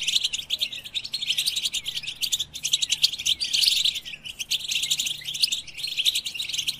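European goldfinches sing a dense, continuous twitter of bright, liquid chirps and trills, high-pitched and tumbling without pause, with several birds seemingly overlapping.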